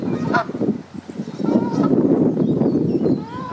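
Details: Honking Canada geese at a pond during egg laying, the gander keeping an eye out; brief nasal, harmonic honks at the start and middle, with low murmuring sounds filling the gaps.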